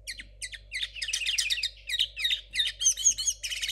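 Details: Learning linnet hybrid from 2022 sings a continuous stream of quick, high chirps and trills, building into clearer whistled, rising-falling notes toward the end; some phrases are distinct while others remain jumbled.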